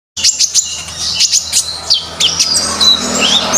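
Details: Common iora singing in a gacor, continuous style: high, bright whistled notes and sweeping chirps in quick succession, with sharp clicks between phrases.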